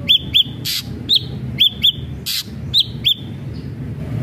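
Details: Ashy drongo singing as a lure to prompt other drongos to sing: paired bright whistled notes with an arched shape, repeated roughly every half to one second, interrupted by short harsh noisy bursts over a steady low hum.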